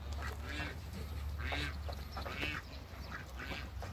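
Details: Four farm ducks, Pekin and hybrid mallard, meeting each other; four harsh, nasal quacks come about once a second over a steady low droning hum.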